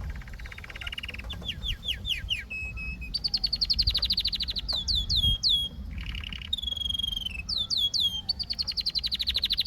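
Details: Canary song built from many quick tours: repeated downward-slurred whistles, fast rattles and bright high trills, changing pattern every second or so, over a faint low hum.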